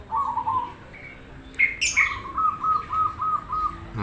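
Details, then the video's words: Zebra dove of the cemani variety cooing to prompt other doves to answer: a low note, a short higher squeak, then a rhythmic string of six even staccato coos. Another bird gives one sharp high chirp. "Suara Perkutut cemani Krosing bikin nyaut Manggung"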